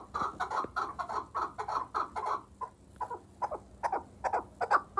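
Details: Chukar partridge from Vanj uttering bursts of raspy, clucking chuk notes in uneven clusters, with a short pause midway before the rapid calling resumes and intensifies.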